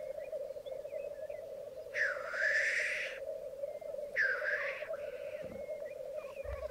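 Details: Black grouse lek on a bog at Mykland, May 2022 morning, twelve cocks and two hens present: steady low bubbling rookooing chorus throughout, broken by two loud hissing sneezes around two and four seconds.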